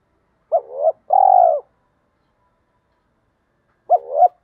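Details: Decoy spotted dove giving its thổ-style coo mixed with đồng, used to excite and train freshly caught wild doves; a quick hollow double note runs into a longer rich coo, then the phrase restarts after a pause, no other sounds.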